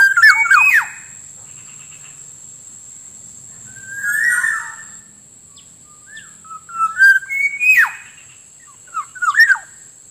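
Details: Lure sound of a black-naped oriole for attracting wild birds: scattered fluty whistles and sharp downward-swooping notes in separate bursts across long quiet gaps, with a continuous faint high tone.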